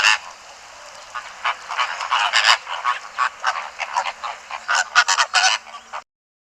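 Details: Greater Flamingos from southern Africa give a busy chorus of nasal, goose-like honks, many short calls overlapping through six seconds, rising into a denser burst near the end.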